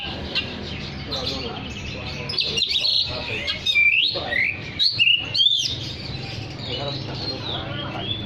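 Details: Oriental magpie-robin singing actively, a sound meant to call other magpie-robins: varied whistled and warbled phrases with sharp rising and falling sweeps, loudest in a burst between three and six seconds, over steady low background hum.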